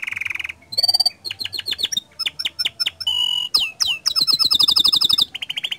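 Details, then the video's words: Canary singing in a lively, continuous flow, played to prompt other canaries to sing: high buzzy trills, rapid downward-sweeping notes repeated about four per second, and bright rattling rolls changing every half second. "Pancingan Efektif Banyak Kenari Ikut Gacor Dengan Suara Kicauan Kenari Gacor Ini"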